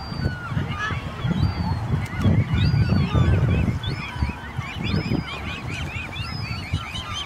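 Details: Swan cygnets calling while swimming: a stream of high, thin peeping notes, many short rising-falling chirps in quick succession over a low rumbling background.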